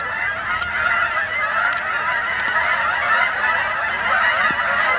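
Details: Canada geese flying in at dusk to spend the night on the main pond at Sapsucker Woods, Ithaca, New York, on 28 October 2017; a dense, unbroken chorus of honking from many birds together.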